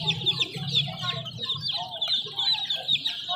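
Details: Chicken chicks peeping loudly and continuously, with many piercing, quick notes crowding together high up and a low hum beneath at the start.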